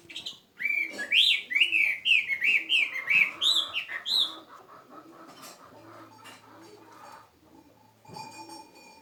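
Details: A kept bird in full song: after a brief pause, a rapid run of bright whistled notes, each swooping up then down and repeated about three times a second for some four seconds, then fading into faint chirps and a soft, regular low pulsing.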